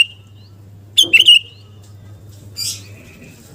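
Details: Sooty-headed bulbul of the kind called kutilang garuda, singing actively, played to stir a bird's fighting spirit: one short bubbly burst of bright chirping notes, then a brief rough rasp, over a steady low electrical hum indoors.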